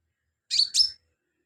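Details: A sunbird, an actively singing bird used as filler song for training other songbirds, gives one quick high, thin double note, two sharp bursts in half a second against a silent background.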